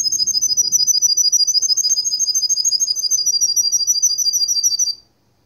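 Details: Russian canary from Kuwait delivering a long, even, high rolling trill of rapid pulses, roughly three each second, held for about five seconds before stopping abruptly into silence.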